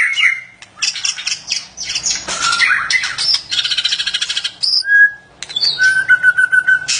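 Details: White-rumped shama during mating, giving a dense mix of harsh rasping squawks, rapid rattling bursts and clear whistled notes, including a pure steady whistle near the end and choppy chattering phrases.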